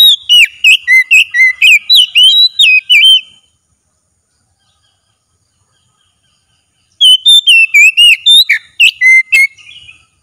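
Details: Oriental magpie-robin in vigorous daily-training song: two long bursts of rapid, varied whistled notes, each about three seconds, with swoops, trills and sharp accents, separated by several seconds of silence.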